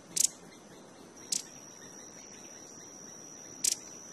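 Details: Violet-headed hummingbird feeding and vocalizing at Los Altos de Cerro Azul, Panama: three sharp, very high, dry chips at uneven intervals, over a steady thin high-pitched whine in the background.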